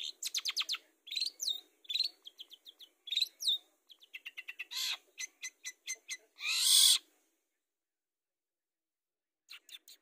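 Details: Long-tailed shrike song meant to lure birds into singing: rapid stuttering series of sharp, high clicks and chirps in quick groups, a long harsh rasping burst near the end, then quiet and a few final ticks.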